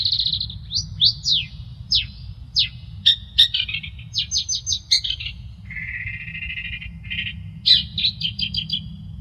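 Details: Long-tailed shrike song in a varied style used for tutoring and prompting other birds: sharp, high, falling whistles and chips in quick bursts, a longer buzzy rasping stretch, then a rapid run of repeated notes, over a low steady hum.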